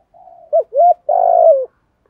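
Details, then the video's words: Spotted dove cooing as a lure in the giọng thổ thúc gù manner: quiet murmured intro, a short hooked note, a smooth swelling coo, and a long rattling coo drooping at the finish. "cu gáy giọng thổ THÚC Gù"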